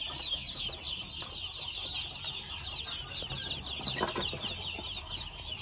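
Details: Two-month-old red junglefowl chicks peep in a dense chorus of high, thin, downslurred cheeps that overlap continuously, with a brief louder burst near the four-second mark.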